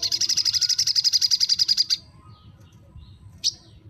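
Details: Crimson sunbird (sogon) therapy recording to rouse a bird that seldom sings: a steady, high, buzzy trill of about twenty rapid notes over two seconds, then quiet and one last sharp chip.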